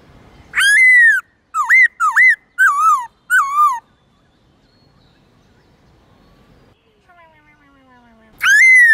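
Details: White-cheeked laughingthrush giving a morning song in the many forest voices style: a strong whistle, then four rapid curling notes, a long quiet gap with faint softer sounds, and a final loud whistle.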